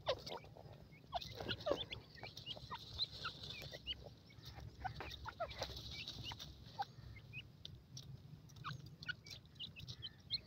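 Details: Young francolins at play in the jungle give a loose stream of brief, sharp peeps and clucking chirps at irregular intervals, set against a constant high hiss and low background hum.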